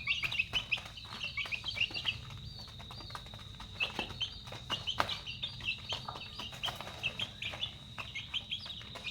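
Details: Several chicks at feeding time cheep busily, short piercing high chirps tumbling over one another without pause, with a constant shrill insect hum and faint low rumble behind.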